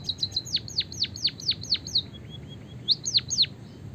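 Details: White-headed munia performing long canary-style song meant as a tutor for other singing birds: rapid high chirps each sliding steeply downward, then faint soft upslurred whistles and a final cluster of three sharp chirps.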